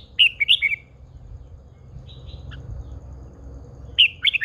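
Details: Red-whiskered bulbul, a cage bird described as a mature wild female provoking a male's heated singing, delivers a rapid chirping phrase, a faint soft note midway, then another burst of bright warbled notes.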